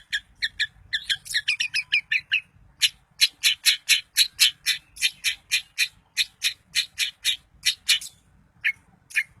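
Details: Long-tailed shrike song used to make other shrikes sing and grow agitated: an opening jumble of mixed chattering notes gives way to a steady, fast series of harsh, squawking notes, over twenty in a row.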